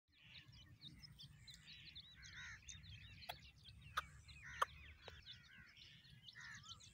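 Grey francolin chicks give a steady stream of thin, high peeping notes, several overlapping, over a low rumble with a few sharp knocks.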